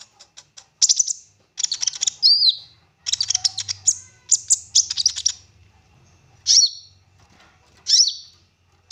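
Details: Olive-backed sunbird singing energetically with rich varied fill-ins, recorded as a lure to make other sunbirds sing: dense chattering bursts of very high chips and trills, then two isolated sharp phrases, with a faint low rumble.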